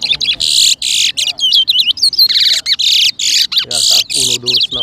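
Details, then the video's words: Loud, continuous song from a towa towa seed finch at a 2023 whistling competition in New Amsterdam, Berbice, Guyana: dense high buzzy bursts mixed with looping whistled notes, barely pausing, with brief low murmurs near the end. "TOWA TOWA BIRD WHISTLING COMPETITION"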